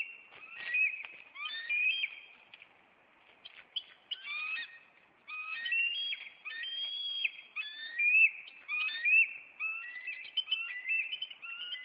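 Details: Bald eagles of a nest pair in Maine, April 26, calling as the male flies at an intruder and lands on a branch; high piping whistles and chittering notes, often rising, in rapid uneven bursts about once a second, with a short pause mid-sequence.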